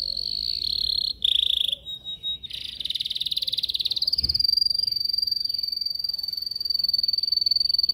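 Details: Song-training session of a caged yellow canary, captured on a Samsung S8 Plus phone: short choppy trills at changing pitches lead into a long, fast, high rolling trill held to the end.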